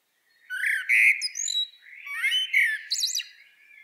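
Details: Common blackbird (Turdus merula) at a garden bird feeder in snowy early winter, late November 2023, gives two short, warbled phrases of mid-pitched notes, each ending in thin, squeaky high notes, about two seconds apart; call.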